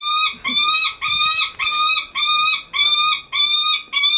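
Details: Captive Lanner falcon at a bird park in Kakegawa, Japan, calling on and on for its keeper's attention: loud, harsh, strongly harmonic cries, each about half a second long, repeated nearly twice a second, with faint handling noise beneath.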